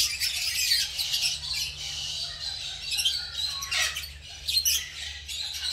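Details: Many green masked lovebirds calling together during colony breeding and nest making in a suspended backyard aviary; steady shrill twittering and squawks, with a few louder bursts near the end.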